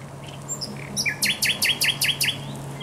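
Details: Thrush nightingale at the Żerań Canal, 24 April 2022, singing a loud rhythmic phrase: about seven sharp, evenly spaced downward-sweeping notes in under two seconds, preceded by softer scattered notes, with a faint low hum.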